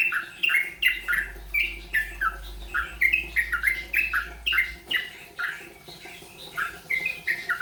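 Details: Rolpen practice by a yellow-vented bulbul, the bird still learning this song style; bright, slurred whistled notes follow one another in a brisk repeated pattern, some rising and some falling, with a quieter stretch near the end.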